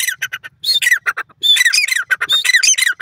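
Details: A francolin in a green field gives harsh, grating squawks in quick bursts, about five notes a second, rasping and high, with brief pauses between phrases.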